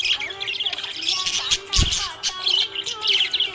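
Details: Happy budgerigar chirping in a dense, fast, scratchy warble of tumbling high notes, with short bursts and squeaks, over steady sustained background tones and one dull low thump near the middle.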